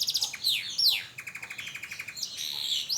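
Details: Young canary learning to sing after its moult: rapid varied phrases of high trills, downward-sweeping whistles and buzzy rattles repeated in quick succession.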